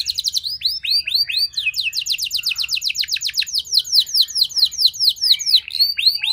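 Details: Canary lure song meant to get other canaries singing. Quick arched upslurs run into a long, steady series of falling sweeps, then more varied curved whistles and chirps, all loud and continuous.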